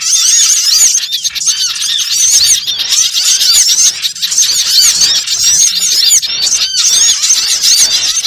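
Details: Many small birds, played as a lure sound for trapping, in a dense, continuous chorus of high, arched chirps and twitters that overlap without pause, with sharp squeaky notes standing out.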